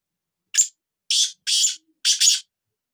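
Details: Black francolin voice: a short harsh note followed by two paired, raspy, broadband bursts in a quick rhythmic phrase lasting about two seconds, against a clean silent background.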